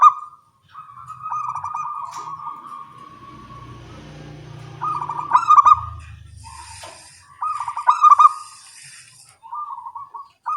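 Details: Local zebra doves calling back and forth in the morning, a long trilled coo, then repeated bubbly phrases about every two and a half seconds, with low rumbling background noise and faint hiss.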